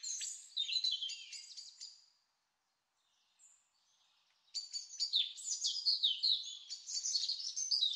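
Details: Ruby-crowned Kinglet in California gives two bursts of high, rapid, twittering notes that tumble up and down, separated by a couple of seconds of quiet.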